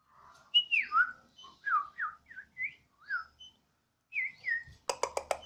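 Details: Pet White-rumped shama of Borneo stock singing keenly on a home terrace, its song compared to a siren. Run of falling and rising whistled slurs at varied pitches, ending in a quick series of sharp clicks.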